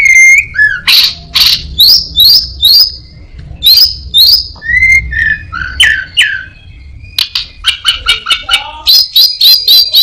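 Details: Orange-headed thrush, a skilled mimic copying other birds and a cat, pours out varied whistled slurs, rising and falling notes and clicks, ending with a quick run of sharp repeated chips.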